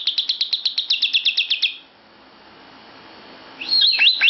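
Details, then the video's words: Lovebird joining in inside a bedroom: a fast burst of about a dozen sharp, high chirps packed into under two seconds, a short quiet gap, then squeaky rising-and-falling twitters. "Lovebird Ikut Nimbrung di Kamar Tidur"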